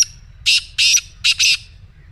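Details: Black francolin call used to get a pet bird to sing back: four loud, hoarse, grating bursts in two pairs within about a second, clean background.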